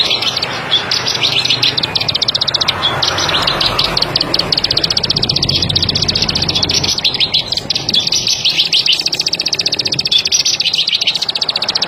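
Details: Plain prinia repeating fast, high, dry clicking notes in uneven bursts, while a low engine-like rumble runs underneath.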